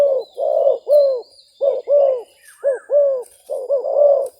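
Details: Spotted dove decoy and wild bird in a calling duel during trapping. Low, rounded cooing notes in short groups with brief pauses, some doubled, and a thin high bird twitter in the background.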